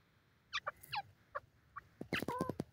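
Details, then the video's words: A grey francolin gives scattered short, harsh, grating notes, then a loud rapid cluster of rasping calls to close, over a faint low hum. "francolin bird voice,teetar bird ki boli"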